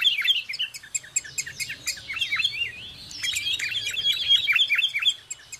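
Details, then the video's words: Sooty-headed bulbul, recorded near a home, gives a busy run of bright, bubbly chirps and short slurred whistles, several notes each second, with no other sounds standing out. "SUARA BURUNG KUTILANG, CANGKURILEUNG | SOOTY HEADED BULBUL SOUNDS"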